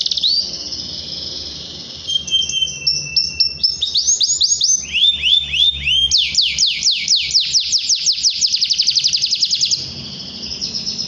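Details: Singing canary's rolling song, played as a lure to provoke rivals and get young birds chattering: a brief whistle, then rapid strings of sweeping high notes repeated about four per second, ending in a buzzy trill.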